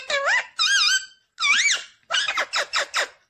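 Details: Pet ringneck parrot said to be talking, saying 'mummy papa': four squeaky, wavering harmonic phrases, the first three drawn out and rising-falling, then a quick run of four short clipped syllables.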